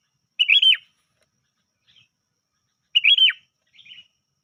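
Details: Lure call of a sooty-headed bulbul, with no filler: two loud, rich chirped phrases that rise and then fall steeply, each trailed by a faint, brief twitter. Nothing else is heard.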